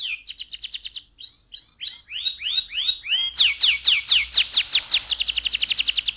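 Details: Canary song meant to stimulate the male and prepare the female for breeding: quick high trill, a series of slower down-sweeping whistled notes, then loud rapid sweeping notes and a fast buzzy trill.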